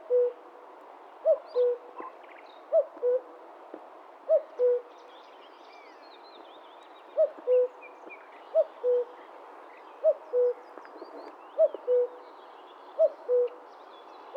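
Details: Common Cuckoo (Cuculus canorus) calling in the wild, a long series of about nine descending 'cu-coo' pairs with a brief pause midway, steady and resonant over a quiet background of distant birdsong.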